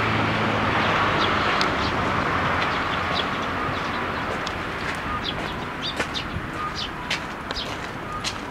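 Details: Many sparrows gathering in a plum tree to be fed at a Tenmangu shrine on 12 May 2023: a busy stream of short, high chirps over a steady low rumble of traffic-like background noise.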